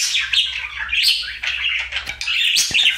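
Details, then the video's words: Short burst of a pet male budgie's daily happy song: scratchy, squeaky chattering warble with twittering notes, continuous throughout, faint low hum in the background. "Budgie singing for 1 Hour Happy song!"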